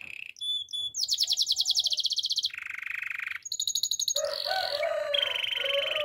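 A Belgian canary sings a loud, high string of rapid trills and rolls, switching to a new tour every second or so, with no other sounds.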